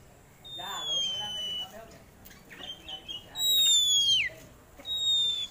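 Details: Oriental magpie-robin in full song, a sought-after competition songbird: long pure whistles held steady or slowly falling, one ending in a sharp downward sweep, with quieter warbling underneath.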